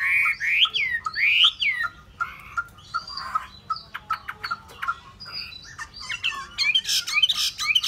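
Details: Hwamei delivering loud, slurred up-and-down whistles, followed by a loose series of clicks and short sharp notes, ending in a burst of harsh, noisy chatter.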